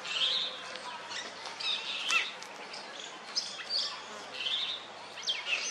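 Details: A male Oriental magpie-robin sits on a wooden stump, ruffling its feathers and calling to females in courtship, giving a varied run of clear high whistles, short trills and rising and falling slurs every second or so over steady hiss.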